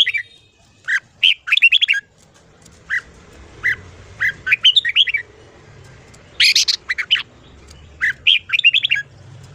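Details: Red-whiskered bulbul (chào mào) singing in the morning, a recording meant for voice training: short clusters of sharp, chattering squawks and chirps repeated in bursts roughly every second or two, over faint low background rumble.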